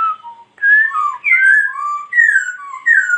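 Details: A laughingthrush, dancing as it sings, gives a continuous flowing stream of loud mellow whistles that rise, fall and overlap with no break.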